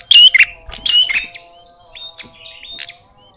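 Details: Red-headed prinia in a fierce fighting-style call: a tight cluster of rasping, whistle-laced bursts at the start, then a run of softer short whistled notes that fade out, over a constant faint hum.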